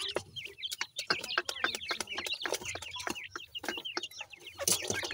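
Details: Grey francolin chicks at feed, rapid high peeps with a wavering, slurred shape, tumbling over each other between frequent sharp tapping clicks.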